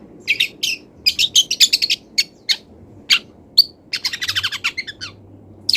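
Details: Long-tailed shrike in moult, singing a full song of mimicked wild-bird calls: quick runs of crisp, scratchy chips and twitters, one clear whistled note, then a fast rattling series of about ten dry notes near the end.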